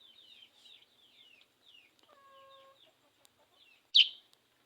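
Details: After bathing, a sooty-headed bulbul sings rapid downslurred whistles in short phrases. A brief steady electronic-sounding tone cuts in partway through, and a loud sharp crack follows near the end.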